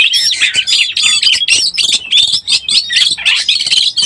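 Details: Lure call of an Oriental magpie-robin in breeding condition: rapid, looping whistles and chirps in quick succession, bright and loud, with short gaps between phrases.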